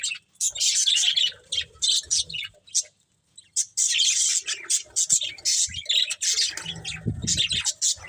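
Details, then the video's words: Breeding pair of budgerigars trading bursts of high, buzzy chirps and chatter separated by short pauses, with some soft lower sounds toward the end. "Cute Budgies Chirping Sounds"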